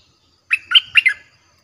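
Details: Streak-eared bulbul song, described as fierce and played to attract wild birds. It is a single brisk phrase of four bubbly, warbled notes, the second and third loudest, in otherwise quiet surroundings.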